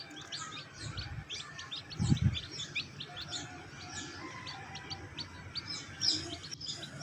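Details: Many fancy bantam chicks in a backyard flock in Lahore peep together, with high thin chirps overlapping several times a second, low rumbling background noise and brief thumps.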